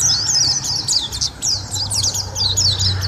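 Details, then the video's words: Energetic white-eye (pleci) song: fast bursts of high, thin chirps and whistled slurs, tumbling in quick succession with brief gaps, above a faint low hum. "Suara Masteran Burung: Pleci Gacor durasi panjang"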